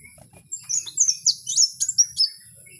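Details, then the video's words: Short, high-pitched phrase from a wild kowul: a quick series of bright slurred whistles and sharp chirps, about eight notes in under two seconds. "Suara asli Kowul di alam liar"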